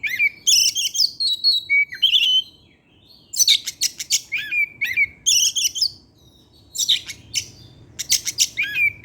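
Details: Oriental magpie-robin (kacer), a caged bird singing in the evening, delivers varied whistled phrases and buzzy harsh notes in bursts, with rising and falling slurred whistles and short pauses between phrases.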